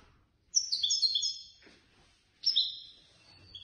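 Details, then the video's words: Competition European goldfinch, third prize winner at a Casablanca bird lovers' contest, delivering two loud phrases of tinkling, overlapping high trills, the first longer, the second starting with a sharp upslurred note. "الحسون الفائز بالرتبة الثالثة في المسابقة التي نظمت من طرف الجمعية البيضاوية لمحبي الطيور"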